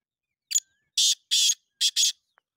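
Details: Call of a black francolin (kala teetar): a short sharp lead note, two long grating rasps, then a tight pair of harsh buzzy notes, all loud against a silent background.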